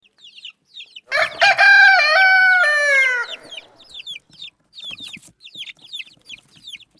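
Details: A rooster crows once for about two seconds, a loud harmonic call that falls slightly at its end, set among short high chirps repeating before and after.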